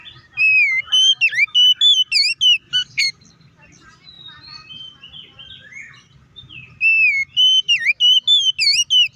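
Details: Oriental magpie-robin song used to make rival birds sing: two loud runs of whistled swoops and chips at the start and end, with soft warbling in between.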